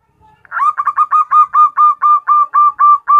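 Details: Female zebra dove calling to a male, giving a quick run of about a dozen short, mellow, even-pitched coo notes, roughly four each second, with nothing else audible.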